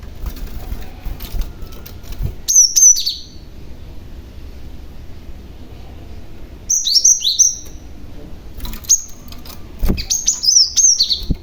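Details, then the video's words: Cinereous tit, a young bird used to lure other tits into responding; three short clusters of thin, high, down-slurred chirps separated by quiet gaps over a low steady background hiss. "BURUNG GLATIK PAUD GACOR , Si Pemancing Bunyi Glatik Lain Yang Handal"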